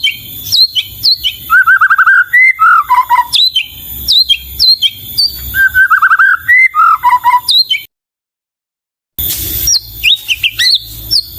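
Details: White-rumped shama (murai batu) singing a lively, varied song: sharp high upslurred notes, fast rattling trills and lower warbled phrases, repeated patterns, interrupted by about a second of silence.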